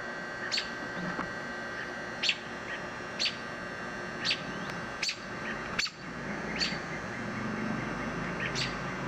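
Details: Adult American robins complaining near a nest of young chicks on a gutter downspout: sharp, high, clipped calls repeated about every second, over a steady air-conditioner hum.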